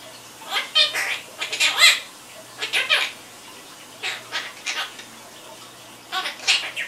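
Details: Chattering pet Quaker parrot produces clusters of rapid, grating syllables and squawks, grouped in three bursts separated by brief pauses, loud and uneven, with a low room hum throughout.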